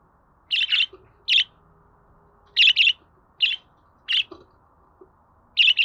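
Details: Budgerigar chirps for encouraging a pet bird to sing: loud, brief, scratchy notes, often paired, repeated at irregular intervals under a faint background hum.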